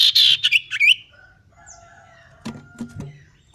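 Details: Common iora; practice song; male learning to sing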